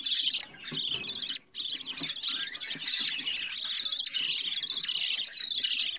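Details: Young budgerigar, day fourteen of its growth in a home breeding setup, keeps up a steady, loud, harsh chattering rasp with one short break early on, plus faint low handling noises.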